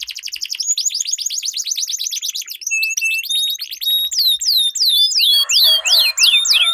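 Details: Canaries in a song duel, long rolling 'ngerol' song used as a lure for stalled birds: fast buzzy trills, then sweeping whistled notes repeated about three per second, a lower rough burst near the end.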